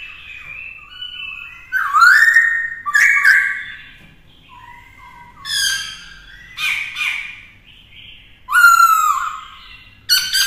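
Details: Black-throated laughingthrush in a cage, singing in the drum-like style to train a young bird: several loud, harsh-edged rolling bursts separated by softer whistled glides, repeated across the recording.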